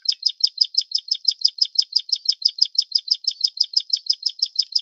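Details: Plain prinia of the Taiwan endemic subspecies flavirostris, a bird of riverbeds, grassland and farmland. It gives a rapid, steady series of high, buzzy, clicking notes, about six per second, throughout, with no other sounds.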